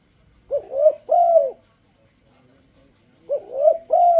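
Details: Spotted dove luring song, meant to entice other doves to sing along: two three-part coo phrases, each a short rising note, then a wavering note and a longer mellow falling coo, separated by a quiet pause.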